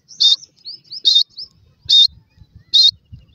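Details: Black francolin chicks in a forest setting, local name kala teetar: short high chirps repeated roughly every 0.8 seconds, with thin rising whistles between them and faint low rustling.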